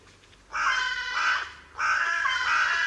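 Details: Carrion crow giving two harsh, drawn-out caws of about a second each, separated by a short pause, with a grating, buzzy tone and no other clear sounds.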